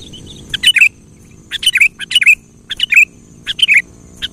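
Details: Kutilang song played to draw out a quiet bird: short clusters of sharp chirps ending in a bubbling, slurred whistle, repeated about once a second, over a low background rumble.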